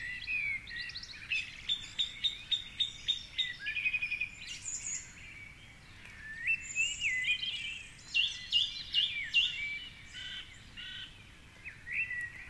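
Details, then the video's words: Male song thrush at dawn, 4.45am, singing from a treetop perch beside the Curragheen River in Cork City. Bright, varied phrases, each note repeated several times in quick bursts, with short pauses between. Soft raindrop patter runs underneath. "Dawn Chorus with Song Thrush"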